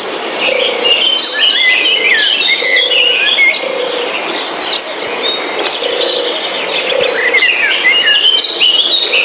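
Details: Lively forest bird chorus of varied whistles, downslurred chirps and trills over a constant insect hum, while a soft low note repeats roughly every second beneath the higher calls.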